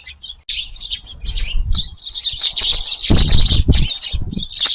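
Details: Garden Eurasian tree sparrows taking their evening food on 18 July as wind rises; busy high chirping mixed with fluttering wingbeats and low thuds, loudest in the second half.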